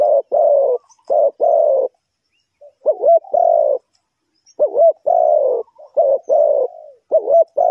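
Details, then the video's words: Spotted dove used as a trapping lure in Ninh Thuận, Vietnam: two phrases of deep, rough coos with wavering looped starts, broken by a silent gap of about a second. "The Sound Of the dove,The Sound Of Cuckoo Bird,เสียงนกเขาใหญ่,Bird Trap,Cu gáy Ninh Thuận"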